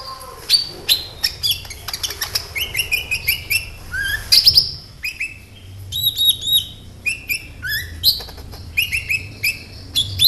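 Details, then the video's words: Kolibri ninja sunbird singing gacor-style as a lure recording: fast, high-pitched twittering with short slurred whistles and sharp chirps repeated in quick bursts, alternating high and slightly lower notes almost without pause. "KOLIBRI NINJA GACOR"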